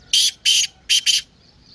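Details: Partridge calling, used to rouse a quiet kept bird: four loud, raspy, high notes in two pairs, the second pair quicker and closer together.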